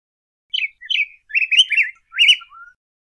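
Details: Yellow grosbeak singing a short warbled phrase of five or six slurred, whistled notes, rising and falling in quick succession and ending with a soft, lower note; no other sounds.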